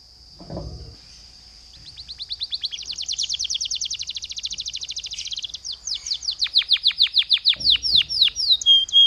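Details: Canary singing as a lure for other canaries: a thin steady whistle gives way to a long buzzy high trill, then a series of loud downward-swooping whistled notes, repeated about three per second.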